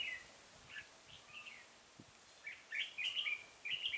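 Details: At Chùa Hương, Vietnam, on 5 March 2018, a red-whiskered bulbul sings while a decoy bird is used for trapping; scattered soft chirps, then a fast run of loud, lilting whistled notes near the end.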